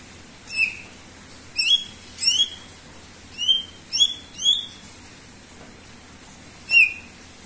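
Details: Greater green leafbird in lively song: seven bright, ringing chip notes with rich overtones, given singly or in quick pairs with uneven gaps, over soft background hiss.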